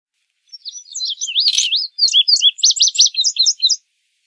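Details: An indigo bunting sings a lively string of high, sharply slurred notes, first sweeping up and down, then a rapid set of repeated paired chirps, about three seconds long, in quiet surroundings.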